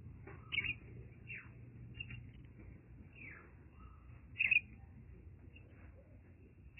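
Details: A baby common myna, rescued from a broken arecanut tree, gives short, squeaky high chirps and a few thin downslurred notes, spaced irregularly, over a low background hum.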